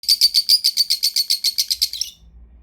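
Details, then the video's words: Pet lovebirds chirping: a fast series of about fifteen sharp, high chirps, evenly spaced and tapering off after two seconds, followed by faint low background noise. "chirping sound of #lovebirds"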